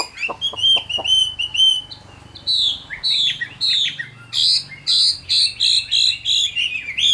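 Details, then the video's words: Chinese hwamei, a wild-caught adult in a cage, repeats short bright chirped notes in quick series, then a strongly rhythmic run of ringing whistled notes, several per second. "Tam Hoàng, Tố Chất Giọng Hay. Chim Chuẩn Già Rừng"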